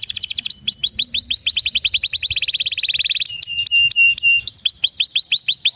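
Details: Energetic canary song meant to coax other canaries into singing; quick repeated downward sweeps run into a smooth buzzy roll, then a few steady high piping notes, then more rapid swept phrases.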